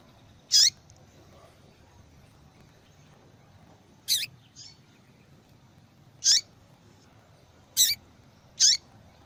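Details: Female yellow-bellied seedeater giving repeated calls, favoured in female-call tournaments; five brief, piercing high chips spaced unevenly, with a faint soft note after the second, over light hiss.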